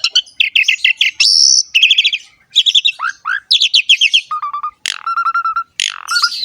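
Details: Varied Asian pied starling song used as a tutor for young birds: repeated bright chirps, a long buzzy high note, swooping slurs, steady level whistles and a sharp crack, all rapidly strung together.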